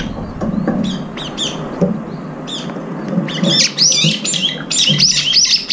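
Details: Many brown-eared bulbuls feeding and competing for food, one with a disabled left foot picking up fallen rice. Rapid overlapping sharp chirps and upslurred squeaky notes, growing busier and louder toward the end.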